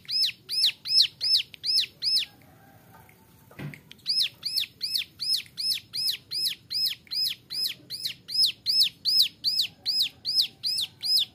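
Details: Young male Bar-winged Prinia (ciblek gunung) singing in the 'nembak variasi' style, used as a training model for other songbirds: high, arched, sharply down-slurred notes repeated about two and a half times a second, briefly pausing after six notes.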